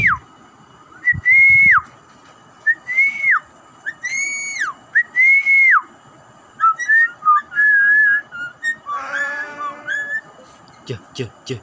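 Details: Javan myna imitating words: a string of loud, arched whistled notes, each about half a second long, then shorter wavering whistles and a harsh harmonic burst, ending with faint clicks.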